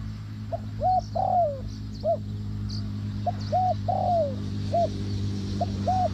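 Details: Spotted dove call used to lure doves into a trap: two phrases of short rounded coos ending in a drawn-out descending coo, over a steady low hum with faint high chirps.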